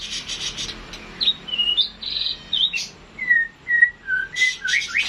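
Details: Classic White-rumped shama song with varied whistles and buzzy high phrases, then a steady series of clear, short, slightly falling whistled notes repeated about every half second.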